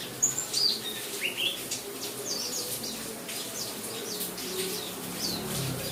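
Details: White-eye, a pleci of the buxtomi type, singing with rain sounds played as therapy to make it sing; high, thin chirps and short twittering notes come in scattered bursts over a steady hiss of rain.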